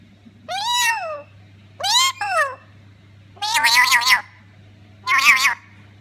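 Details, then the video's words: Black-capped lorikeet hen mimicking a cat, giving four drawn-out meowing calls about every one and a half seconds, the first two clear and falling, the last two harsher and wavering, over a steady low hum indoors. "Chatterbox , cat with the wings"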